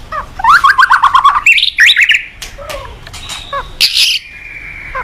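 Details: White-rumped shama singing loudly, recorded as a training master for young shamas: a rich, fast run of varied whistled phrases, rapid repeated notes and rising and falling slurs, with short harsh buzzy bursts and a steady high tone near the end.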